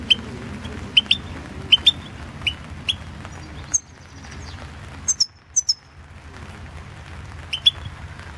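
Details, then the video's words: European goldfinch, Carduelis Balcanica, recorded for the 2016 online World Championship in Goldfinch Song; a long series of paired chirps, then a burst of very high thin notes and a short break before chirping resumes. "Pesma štiglića"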